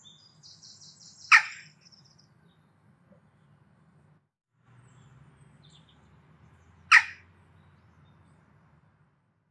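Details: Western jackdaw giving its characteristic call, the source of its name: two short, sharp 'tchak' calls about six seconds apart, with faint higher chirps from another bird and a low background rumble.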